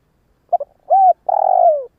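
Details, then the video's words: Spotted dove used as a decoy to lure wild doves, giving a low mellow coo: two short clipped notes, then a smooth drawn-out coo and a longer wavering coo that slides downward at the end. No other sounds. "Tiếng gáy cu mồi cây | Tiếng chim cu gáy kích bổi nhanh nổi hiệu quả"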